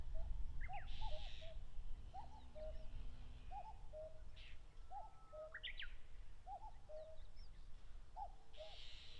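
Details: Wild common cuckoos (Cuculus canorus) busy with territory disputes on the grassy plain at Mount Fuji's foot, Japan, late May; steady low cu-ckoo phrases repeated over and over, with sharp upslurred chirps of other birds and buzzy hissing bursts.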